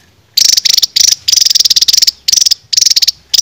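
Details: Caged songbird training song in the 'raja tembak' style: a nearly continuous string of high, fast-pulsed rattling bursts broken by a few brief pauses.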